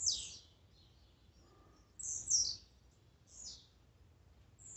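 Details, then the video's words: Blue-black grassquit song played to excite a caged bird: three short, buzzy, high notes, each dropping sharply in pitch, given about once a second, with a faint low hum underneath. "Melhor esquente de tiziu,cantos e macheados para enlouquecer sua ave."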